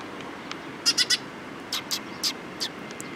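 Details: Eurasian tree sparrows gathering at food on 26 October 2017: a quick burst of three sharp, high chirps, then scattered single chirps spaced a few tenths of a second apart, over steady low background hiss.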